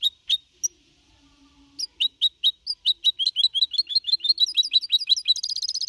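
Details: Goldfinch hybrid, four and a half months old, singing a clean Copia Malaga style song in 2021. Sparse isolated chips at first, then the notes speed up into a steady twittering series ending in a rapid, buzzy trill.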